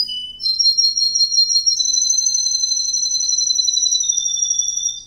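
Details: Male Russian wild green canary holds a long, high, pure whistled note with a faint fluttering trill, running unbroken for over four seconds before fading.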